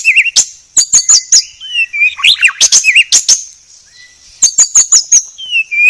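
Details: White-rumped shama 'masteran' training song, described as very clear: bursts of sharp high chips and clicks alternating with short twisting whistles, a quiet gap mid-phrase, then another rapid run of chips and a falling whistle.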